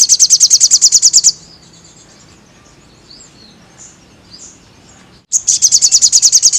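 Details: Crested jay, recorded to train caged birds: a rapid high rattle of even pulses fades out, near-silence follows for about four seconds, then the same machine-like rattle resumes.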